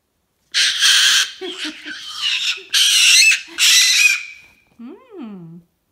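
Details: Pet cockatoo indoors, agitated after falling off a bed: four loud, harsh, raspy screeches over about four seconds, each broad and noisy, followed by a brief person's voice.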